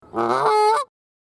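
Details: Goose in a children's lesson teaching farm animal names and sounds: one drawn-out nasal honk of under a second, strongly harmonic, rising slightly in pitch toward the end.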